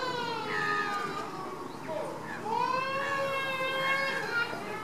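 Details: Baseline activity of a Caribbean flamingo group: many birds give drawn-out, goose-like honks with strong overtones, some sweeping upward, layered over one another in a constant murmur.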